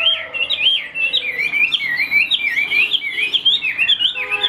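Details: Dense, fluent song of a caged hwamei: overlapping swooping whistles tumbling up and down without pause, rich and loud, with faint lower notes beneath.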